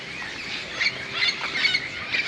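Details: Many parrots gathering at dusk in large bamboo next to a golf course in Moka, Trinidad and Tobago, preparing for the night; harsh overlapping squawks in a dense chorus, broken bursts throughout.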